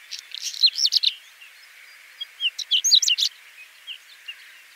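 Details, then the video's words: Whinchat delivering two rapid phrases of mixed whistles and harsh scratchy notes about two seconds apart, each ending in softer high chips; no other clear sounds. "Whinchat1h bird sound"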